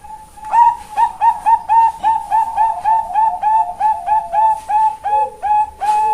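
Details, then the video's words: Captive female perkutut bangkok, the zebra dove, at a Kebumen bird farm in Central Java, Indonesia: a long, steady train of bright, bell-like coo notes repeated roughly three times per second, ending in a lower dip. "SUARA PERKUTUT BANGKOK BETINA SUARA LENGKAP TENGAH BANYAK RING"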